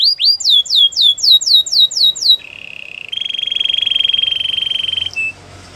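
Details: Singing canary in a training song: a quick string of down-slurred whistles, then a low buzzy rolling tour followed by a louder, higher pulsed trill and a brief closing note.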